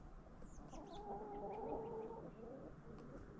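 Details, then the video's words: Backyard chickens eating a Halloween jack-o'-lantern pumpkin treat in fall: a sustained, slightly wavering hen vocalization with layered tonal harmonics around the middle, over soft pecking and background noise. "Relaxing Sounds of Chickens Eating"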